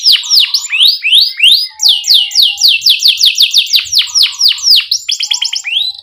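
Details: Canary singing as a tutor for beginner canaries: steady series of descending whistled sweeps, several per second, with a brief rapid chatter at the end.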